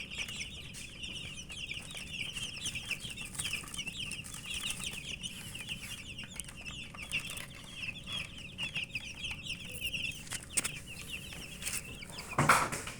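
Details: Chicken chicks feeding, a steady chorus of quieter high chirps running throughout, with tapping and rustling from pecking and a louder scrape near the end.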